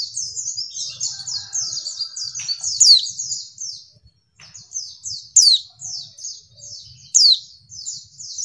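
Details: Female white-eye (pleci) lure call to make lazy males respond: a dense stream of high, thin down-slurred chirps, a short pause, then more chirping punctuated by loud steep down-swept whistles roughly every two seconds.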